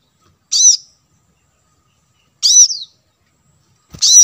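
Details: Plain-throated sunbird chirps used as bait audio to draw wild birds in: three bright, high, slightly rasping notes about two seconds apart, the second drawn out a little longer. A low thump comes just before the last one.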